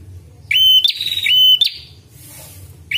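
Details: Red-headed prinia call for luring and training birds: two stretched notes, each a quick rising whistle held level, then a rough high tail. A quiet gap follows before another note begins, over soft low hum.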